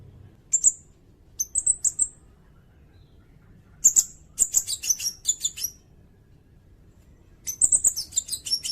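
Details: Sirindet song for tutoring songbirds and luring birds: short, very high, thin chirps and sharp whistled notes in scattered bursts separated by pauses of a second or more, over faint low background noise.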